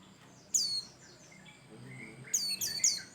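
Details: White-eye of the Bustomi type in full song, used as a lure for other birds: one sharp, high, falling chirp, a thin quiet pause, then a quick series of three bright descending notes.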